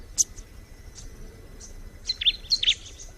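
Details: Bar-winged prinia in a nature recording: a sharp high chirp, then after a pause a quick cluster of thin, high chirps and twittering notes near the end, over faint background hiss.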